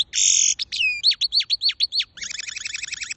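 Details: A singing goldfinch gives a short buzzy note, a string of sharp, rising-then-falling chirps about five per second, then a fast rattling, wavering trill in a high register, with nothing else audible.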